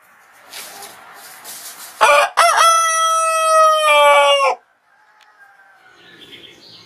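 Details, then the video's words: Rooster crowing as a morning wake-up call: two short broken opening notes, then one long, loud, steady harmonic crow held for about two seconds that cuts off abruptly. Faint background noise before it, and quiet rustling afterwards. "Rooster Crows - For Wake You Up"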